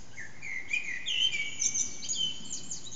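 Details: Unseen Eurasian blackbird singing around 4:30am in the morning, backyard echo, HTC Desire phone: a low fluted whistle followed by a jumble of rapid high chirps over faint hiss.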